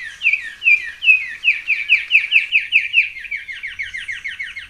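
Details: Carmiol's tanager (Chlorothraupis carmioli) song: a fast run of slurred, falling whistled notes, about two or three per second, sweet and slightly buzzy, against a quiet background.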